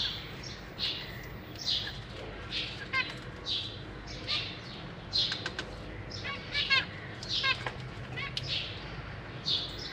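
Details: Zebra finches in a big cage with juveniles and new fledglings fed by their parents: softer, fairly distant buzzy chirps and harsh notes spread over ten seconds against a low background hum.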